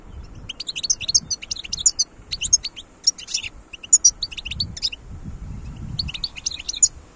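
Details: Wild European goldfinch singing in 2022: bright, tinkling twittered phrases of rapid high notes in short bursts, with faint low rumble underneath.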